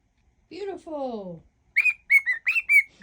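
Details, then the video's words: Pet cockatiel singing a mash-up of songs: a low harmonic rising-falling note and a falling swept tone from a person, then a run of short whistled notes near one pitch, rising and dipping. "whistling cockatiel"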